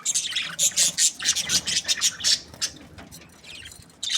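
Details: Breeding pairs of budgerigars chirping happily: dense bursts of harsh, high chattering notes, several callers overlapping in quick irregular runs, then quieter scattered chirps before a loud burst at the end.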